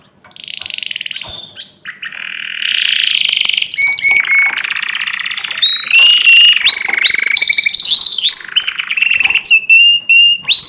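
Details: Varied canary song with jumps between pitches. Buzzy low rolls mix with sharp high whistles, quick chip notes and short trills, loud and continuous after a quiet start.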